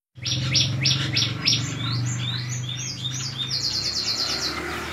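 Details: White-shouldered starling giving a melodious song: rapid run of bright, varied chirps and short whistled notes, dense and jumbled, over a steady low hum.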